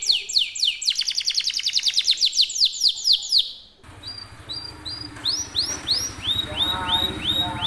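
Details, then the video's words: Canary singing nonstop rolling song: dense rapid high trills sweeping downward for several seconds, then a sudden shift to spaced, curving whistled notes over low rumbling background noise. "NGEROL SEJALUR DURASI PANJANG..!"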